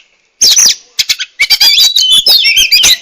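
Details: Oriental magpie-robin, known locally as murai kampung or murai cacing, singing a rapid jumble of high chattering notes and slurred whistles after a brief quiet start.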